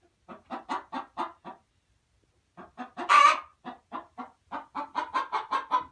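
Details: Domestic hen giving short rhythmic clucks, pausing for a second, then resuming. A single loud, harsh squawk breaks in before quicker clucking picks up toward the end.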